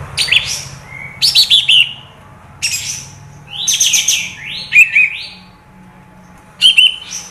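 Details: Olive-winged bulbul (kapas tembak) used as a lure sound: scattered phrases of buzzy, rising and falling whistled notes with pauses between, over a steady low electrical hum.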